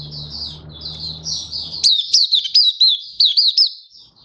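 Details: Malaysian white-eye kept as a hobby bird in Singapore, 20 March 2023, warm sunny weather: soft continuous high twittering over a low hum, then loud, sharp, bright chirps strung quickly together.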